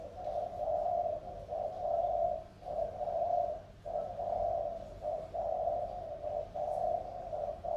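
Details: Spotted dove used as a decoy, a field bird from Sóc Trăng tamed over two years, calling very eagerly: steady low throaty coos, six or seven phrases with brief gaps, strong and insistent throughout.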